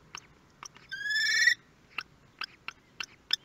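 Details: First meal of newborn common kestrel nestlings at a nest in Théding, France, 23 May 2022: one loud, sustained, level whining call lasting about half a second, set among a series of brief sharp clicks and faint chirps.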